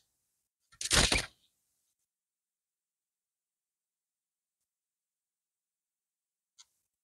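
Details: One short loud burst of handling noise, then near silence with a faint tick, no birdsong.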